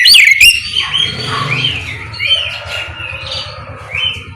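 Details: Oriental magpie-robin singing ngeplong in the morning as a lure to get others to reply; one loud, sharp whistled note opens, followed by softer, varied warbling whistles over a steady low hum.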